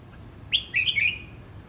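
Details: Voice-practice song of a red-whiskered bulbul, one phrase opening with a sharp whistled note and running into a bubbly, twisting warble that fades out, low background rumble.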